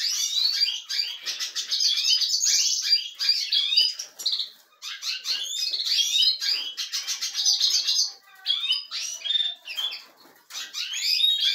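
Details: European goldfinches kept in a canary breeding setup, livening up with bursts of fast, high, jangling twitter and trilled phrases separated by short pauses.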